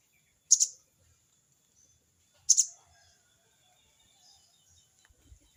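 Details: Sogon bird calling out a rival with its crecet cerecet call: two short, harsh, buzzy high bursts, each with a quick double pulse, about two seconds apart, with quiet gaps between.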